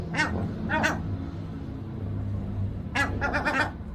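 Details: Two gulls in a protesting duet: two harsh squawks, then a quick run of four or five more near the end, over a steady low rumble.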